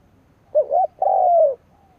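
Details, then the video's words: Single phrase from a decoy spotted dove calling to provoke rivals: a short wavering double note, a brief pause, then a long smooth coo that slowly falls in pitch. "Cu mồi gáy gù / Tiếng chim cu mồi kích bổi / Cu mồi gáy bổi nghe hăng máu"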